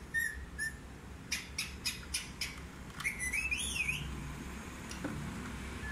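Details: A talking Indian ringneck parakeet gives two brief whistles, then a quick run of raspy bursts and sweeping, voice-like chirps, over a steady background hum.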